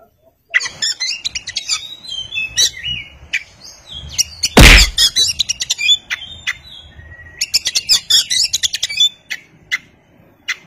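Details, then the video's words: An Oriental magpie-robin (kacer) gives rich, varied whistled phrases and sharp chirps in quick bursts, broken by one loud thump midway. "kacer (oriental magpie robin)"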